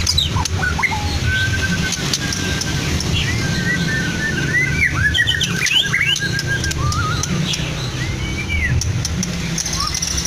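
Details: Medan-type white-rumped shama, caged in Blora, whose repertoire includes copied lovebird, canary and cililin phrases, gives scattered short whistles, one long steady tone and rising chirps over a constant low hum.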